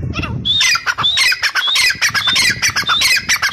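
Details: Grey francolin (Ortygornis pondicerianus) call: loud, harsh, high-pitched squawking notes in rapid bursts, several each second, with a thin whistled note woven through; little else heard.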